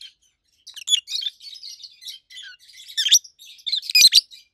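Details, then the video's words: Two adult rosy-faced lovebirds, over a year old, a red-head green opaline and a white-head pallid aqua opaline, recorded in 2023 in a small indoor room: loud, shrill chattering chirps in quick irregular bursts, sharper squeaks peaking near the end. "Rosy-faced Lovebirds Call Sounds"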